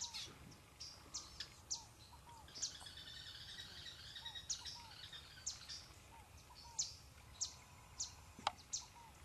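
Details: Orinoco spinetail (Synallaxis beverylae) on river islands near Puerto Ayacucho, Venezuela/Colombia, giving sharp, high, dry notes in irregular bursts about every half second to a second, with soft hooked low whistles and a busy background hiss.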